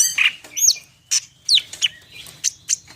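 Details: Greater green leafbird of the Medan kind singing full isian. A harsh buzzy note leads into separated high clear whistles and chips, spaced roughly every quarter second, over faint low noise.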